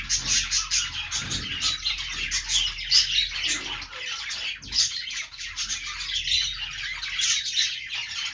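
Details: Australian parrot, the budgie, giving rapid overlapping chirps and scratchy squawks in an unbroken chatter, with a few louder accented notes around the third second.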